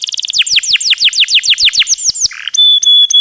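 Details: Canary song recorded as teaching material for cage birds: a quick series of descending whistled notes, a short buzzy burst, then steady pure high tones.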